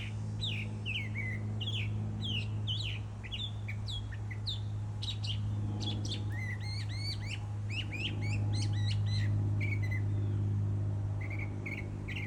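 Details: Bird singing with quick, sharp chirps and upward-flicking notes in rapid, fairly regular bursts, set against a constant low droning hum.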